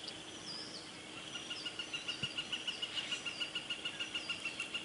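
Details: A bald eagle chick at the Decorah North nest, Iowa, on 15 April 2017 gives thin, high peeping notes, about three per second, growing louder, while picking up scrap food; faint whistles from other birds behind.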